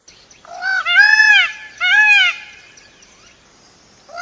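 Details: Indian peafowl in India giving two loud, nasal, wailing calls, each an arched, strongly harmonic cry about half a second long, separated by a short pause; a steady high hiss runs underneath.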